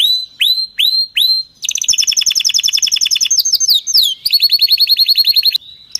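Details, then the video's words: Canary singing loudly and without mistakes, used for teaching song: four rising whistled notes, then fast trills of repeated high notes, rolling and changing pitch, ending in a steady buzzy rattle. "canary singing تغريد قوي جدا وبدون أخطاء لتسميع الكناري"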